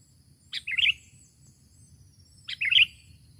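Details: A sooty-headed bulbul calling to a rival gives a short, bubbly phrase of quick, mid-high notes, repeated about two seconds apart, against a quiet low hum.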